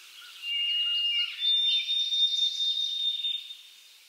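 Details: White-throated Sparrow spring song in a Central/Eastern US backyard, the "oh sweet Canada Canada" song: a clear, pure whistle, then a higher note held for over two seconds, over a soft hiss of background noise.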